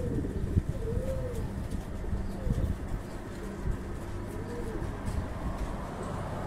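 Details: Fancy pigeons on a breeding farm coo softly, with low arching notes repeated every second or two, partly masked by a constant low electrical hum and rumble.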